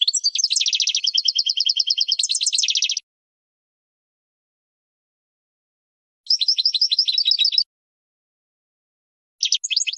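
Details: European goldfinch singing a training song for young birds: a three-second phrase of fast buzzy trills and twitters, a pause, a second trilled burst near six seconds, then a short final snatch.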